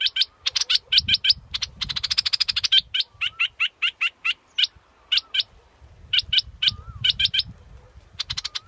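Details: Scarlet-backed flowerpecker calling in quick bursts of high ticks and a brief dense trill, with pauses. Soft low rumble underneath and a faint lower whistle now and then.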